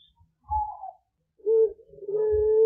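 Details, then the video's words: Young puter pelung turtle dove learning its voice in the morning, answering other cooing doves: a short higher wavering note, then a pause, then a low steady coo drawn out and held, with soft low thumps. "Puter Pelung PAUD, syahdu bersahutan dengan anggungan lainnya"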